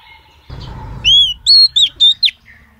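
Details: Female oriental magpie-robin calling males: a short run of five clear whistles, rising and level, loud and crisp after a brief rustle.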